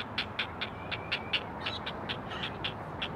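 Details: Calls of four great blue heron chicks to their mother at a Chesapeake Conservancy nest cam: spaced raspy clicking notes with a thin rising whistle early on, over background hum.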